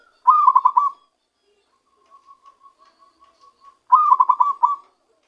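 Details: Newly trapped zebra dove beginning to voice its true song: two bursts of fast, pulsing rolled coos about three and a half seconds apart, with a faint series of soft, evenly spaced notes between them.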